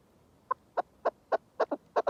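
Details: Chukar partridge calling: a series of eight short, clucking chuk notes spaced about a quarter second apart, starting softly and becoming louder and slightly doubled toward the end, over a quiet background.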